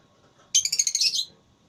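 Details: Lovebird in a singing contest, ngekek style: one dry, rattling trill of quick pulsed notes lasting under a second, set against a quiet background.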